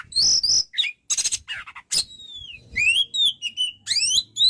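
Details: Kacer, white-rumped shama, in lively song: buzzy, harsh bursts followed by a long, clear descending whistle and then varied upslurred whistled notes in quick succession.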